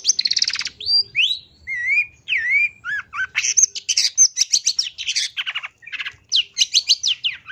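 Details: Long-tailed shrike singing, used as lure material for training birds to sing: a varied medley of buzzy rattles, rising and falling whistled slurs and quick high chirps, run together with barely a pause.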